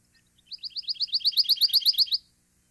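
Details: Pine Warbler singing a sweet, musical trill, one note repeated about fifteen times at roughly nine a second, swelling louder before stopping cleanly; more musical than the similar pulsing Chipping Sparrow trill.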